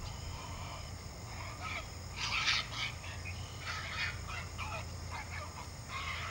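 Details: Single great blue heron chick with no siblings, at its nest, grabbing a fish its parent regurgitated onto the nest floor and flapping its wings. It gives harsh, noisy, broadband squawking bursts in irregular clusters over a steady low rumble.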